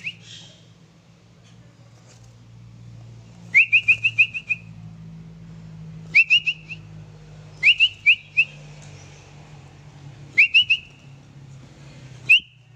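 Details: Sooty-headed bulbul kept at home, delivering short clear whistled phrases of rapid rising notes, each run of three to five repeated every few seconds, with a steady low hum behind.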